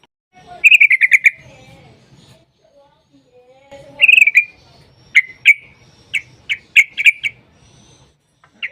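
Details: Yellow-vented bulbul with 'ropel' song used to lure other bulbuls into singing: short bubbly bursts and separate sharp chirps with gaps, over a faint low rumble.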